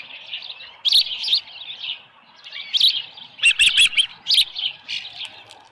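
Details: Osprey at Dunrovin Ranch nest, 24 July 2018, about 6:52 AM, with a headless fish. Softer, somewhat distant high chirps with lulls, then a louder cluster of sharp notes in the second half.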